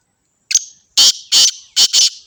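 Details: A black francolin from Sindh, Pakistan, recorded on the 29th of the third month, calls at close range. A brief thin note comes first, then four harsh, grating notes spaced unevenly within about a second and a half.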